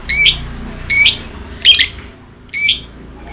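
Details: Long-tailed shrike singing loudly, a training recording meant to get a reluctant cage bird singing: four sharp, rasping, stacked notes spaced about a second apart over a quiet background.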